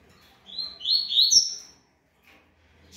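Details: Puro malte song of a yellow-bellied seedeater recorded in Ribeirão Preto, São Paulo state, Brazil: one clear, rich phrase of slurred notes rising through the phrase to a high, thin whistled finish, followed by near silence.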